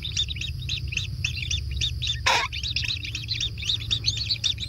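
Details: Kingfisher chicks at their natural nest during feeding, calling in crowded, overlapping high chirps, with a brief rustling burst midway and low background rumble throughout.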